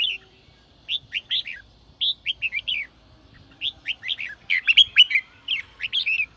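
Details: Red-whiskered bulbul singing in the sổ bọng style, used to spur newly caught birds to sing: bursts of three to five quick warbled, chirpy notes separated by short pauses. A very quiet low hum sits underneath.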